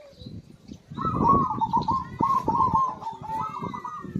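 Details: A zebra dove singing vigorously to spur silent birds: one long, rolling coo phrase with a rapid fluttering trill, slowly falling, over low rumbling noise.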